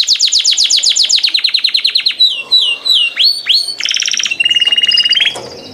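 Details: Canary song: a rapid run of sweeping whistles slowing into looping upswept notes, then a buzzy rattling trill and a short rising whistle before fading out.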